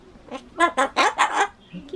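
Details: Ducorps's cockatoo kept indoors as a pet, chattering the same phrases over and over and trying to say bye-bye; five or six harsh, speech-like syllables come in rapid rhythmic succession.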